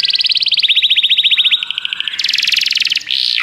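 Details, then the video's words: Canary song played to stimulate a pet canary to sing: a fast even trill of high notes, then a slightly lower rolling tour, ending in a harsh buzzy rapid trill and a brief sweeping note. "seu canário vai cantar muito, ouça imediatamente essa música"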